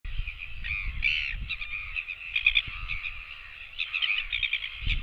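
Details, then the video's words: Royal albatross chicks begging for food, filmed by a nest camera, dated 24.09.17: a steady stream of harsh, buzzy, wavering calls with short rising and falling bursts, over low rumbling wind. "other chicks come begging for food"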